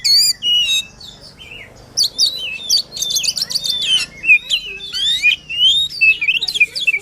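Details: White-rumped shama in full, emotional song, used to stir a quiet shama into singing: varied whistles and rapid buzzy trills, rising and falling phrases delivered in quick bursts with short pauses.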